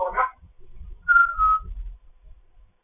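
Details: Fostered African grey parrot in morning chatter gives a brief rough squawk, then a clear steady whistle that sags slightly in pitch, over low background rumble.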